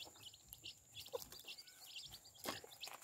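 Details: Chicks beside their protective mother hen give a busy chorus of thin, high, downward-sliding peeps, densely overlapping, with scattered soft clicks and rustles underneath.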